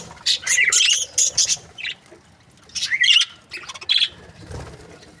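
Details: Budgerigars from breeding pairs give short clusters of bright, scratchy chirps and squawks, with pauses between groups of calls.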